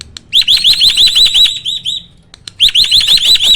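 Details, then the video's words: Roll tembak song, loud and ringing, from a hybrid of Asian pied starling and black-winged starling. A long rapid train of looping high notes stops briefly after a few clicks, then resumes at the same fast pace. "BURUNG JALAK HYBIRD || GURU VOKAL SUARA ROLL TEMBAK."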